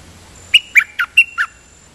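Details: Dok Taeng bird, double-note (lak boen) song style, giving five evenly spaced, crisp whistled chirps in about one second over faint background hum.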